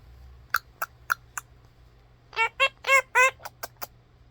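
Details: A pet mini macaw parrot gives a few sharp clicks, then a run of four loud harmonic, squawk-like notes and three short chirps, in a quiet room with a person speaking briefly nearby.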